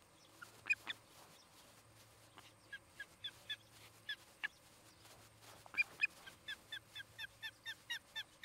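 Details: Osprey at a nest in Charlo, Montana, 17 August 2018, afternoon, giving sharp, high whistled chirps, first scattered, then a quickening run of about a dozen evenly spaced notes; faint low hum underneath.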